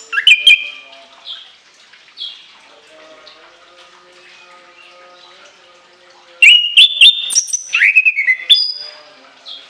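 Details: Orange-headed thrush with scattered high whistles and soft chatter, then a long energetic volley of shrill, stepped whistles and sharp chips in its varied, rolling song.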